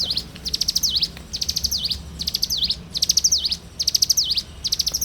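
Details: Loud, close morning singing by a bar-winged prinia, a string of fast high chattering phrases, each capped by a sharp falling-rising slur, repeated rapidly with barely a pause between them.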